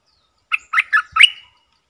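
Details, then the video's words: Decoy Streak-eared bulbul luring wild birds: four liquid chortled notes, the last one longer and sliding, delivered within a second against silence. "เสียงนกดอกแตงEp.55 นกต่อ"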